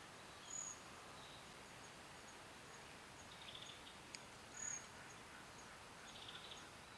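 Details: Grey-streaked flycatcher (Muscicapa griseisticta) calling actively: two very high, thin, sharp call notes about four seconds apart, with faint softer chatter between them over a steady background hiss.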